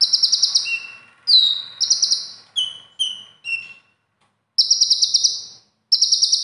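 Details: Caged konin (kolibri ninja) kept for song competitions, singing trained material copied from other birds: very high, bright whistled bursts with buzzy trills, a few lower downslurred notes, brief pauses between phrases.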